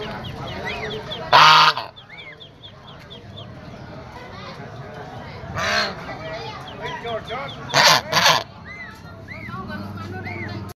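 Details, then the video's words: White domestic goose honking: four loud, brassy, nasal blasts spread across the recording, two in quick succession, over a steady background of many small, high, arched peeping calls. "suara angsa putih"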